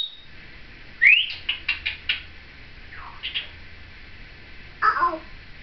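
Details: Female Timneh African grey parrot, seven years old, chattering indoors alongside her caregiver in 2012: a quick rising whistle followed by a rapid series of squeaky chirps, a soft falling note, then a harsher squawk.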